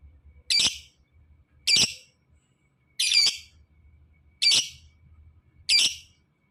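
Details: Fighter-type lovebird calling, used to stimulate lazy lovebirds to sing: five harsh, buzzy, high squawks, each about a quarter second long, spaced a little over one second apart, with faint low rustling between.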